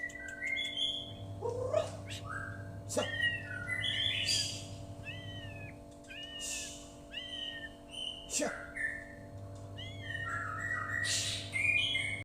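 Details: Murai Batu from Medan delivering lovebird-style song with long bursts: arched, clear whistled notes repeated in quick series, mixed with sharp clicks and brief chatter, over a constant low electrical hum.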